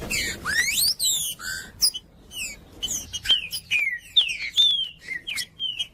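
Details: Green-winged saltator in full song, used by breeders to warm up birds and train young ones: a rising swooping whistle opens, then quick falling whistles and sliding notes in a lively, varied sequence.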